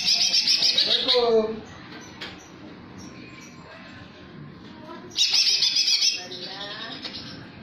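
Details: Greater green leafbird singing in the jamtrok style, filled in with kingfisher (tengkek) imitations: a loud burst of rapid, shrill high chirps with a descending slurred phrase, a quiet pause with faint background murmur, then another shrill chattering burst.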